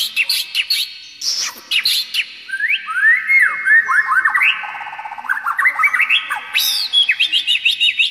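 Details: White-rumped shama song used as a training model for young birds: rich varied whistled phrases, rapid rising and falling notes, trills and sweeping slurs packed densely across eight seconds, loud and continuous with brief pauses.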